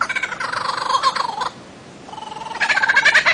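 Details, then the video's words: Bird-of-paradise giving rasping, nasal calls: a long buzzy burst, a short pause, then another grating burst rising in intensity. "kicau burung cendrawasih"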